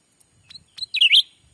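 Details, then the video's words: Black-capped bulbul lure call played to attract wild birds while trapping in Sumatran forest: faint scattered clicks, then a loud burst of sharp, twisting high chirps ending with a warbled downward-and-upward phrase. "suara asli pikat cucak ranting anti jong yang liar pasti dijamin langsung datang"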